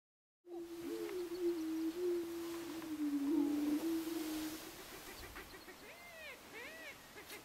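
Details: Greater prairie chickens at a lek on Switzer Ranch, Nebraska, recorded in 2011: a steady low hollow moan holds for about four seconds, then sharp rising whoops and cackles break in near the end.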